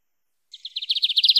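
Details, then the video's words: Lined seedeater canto mateiro song, used to warm up a pet bird: soft opening notes building into a quickening, louder series of high repeated chips. "Bigodinho Canto Mateiro"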